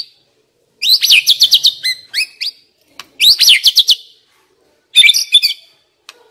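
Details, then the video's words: White-rumped shama kept as a decoy bird, delivering bursts of fast, high, sharply modulated chirps and trills in three separate phrases separated by short silences, clean and close. "Chòe lửa mồi hót cực hay"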